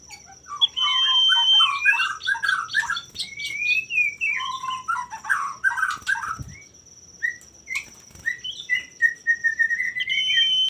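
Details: Singing male common iora, played to make rival males sing back: dense jumbled warbling and chatter with long flat whistles at start and end and sharp chirps between, a constant faint high-pitched tone running underneath.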